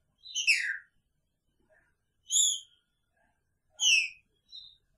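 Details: A caged male Green-winged saltator, kept with his female, gives loud, rich, falling whistled phrases, three spaced about every two seconds, with a softer short note after the last.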